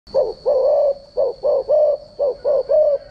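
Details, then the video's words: Spotted dove decoy call used for training doves' voices: eight short, low, mellow coos in about three seconds, some grouped in quick pairs, over a faint steady high-pitched electronic whine. "chim cu gáy mồi giọng gáy chuẩn dùng luyện giọng chim cu gáy mỗi ngày"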